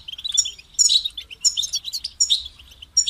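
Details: Singing European goldfinch, a kept songbird, delivering quick high twitters and chirpy trills in short separated phrases, each starting abruptly and ending with a pause.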